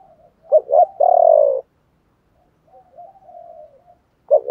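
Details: Spotted dove song of the chiêu ba hậu type, played to prompt other doves to call: two short hollow coos and a drawn-out rolling coo, a pause, soft murmuring coos, then another sharp coo.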